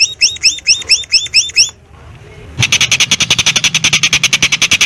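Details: Long-tailed shrike singing, recorded 16 May 2022 with a Samsung M30 in a house yard beside rice fields; a run of slurred upswept whistles, a pause, then rapid harsh rattling notes repeated steadily.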